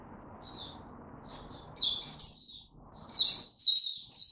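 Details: Oriental white-eye beginning a tiong aw song on 25 January 2022, after sleeping late: a few soft high notes over a low background hum, then loud bursts of bright, high, twittering warble separated by brief pauses.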